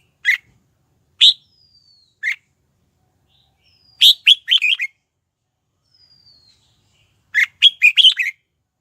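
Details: Red-whiskered bulbul lure singing to attract wild birds to fight: three isolated bright notes spaced about a second apart, then two full phrases of five quick whistled notes, each rising and falling, in quiet surroundings.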